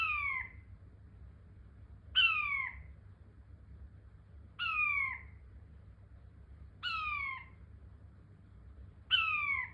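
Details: Repeated calls from a King quail: five clean, downward-sliding whistles, each roughly half a second long, spaced about every two seconds, with faint low background hum between them.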